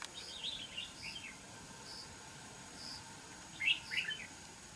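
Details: Red-whiskered bulbul, a wild bird caught in a fight trap: quiet warbled chirps at the start, then a louder twisting burst of bright notes near the end, against low background hiss.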